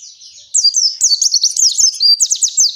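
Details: Captive oriental white-eye giving the long 'ngalas' song used to coax other white-eyes into singing: a thin high whistle, then continuous rapid warbling of high sweeping and zigzagging notes.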